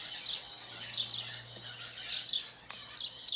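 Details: Chirping house sparrow in nature in Brazil: three sharp, high chirps spaced about a second apart, set against a dense, buzzy chorus of other high-pitched calls and a faint low hum.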